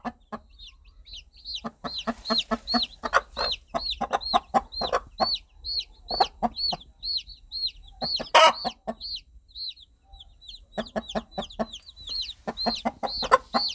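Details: Baby chicks cheep loudly in arched high peeps almost nonstop as their mother hen clucks softly and rhythmically, steady clucks in long runs with one brief harsh outburst.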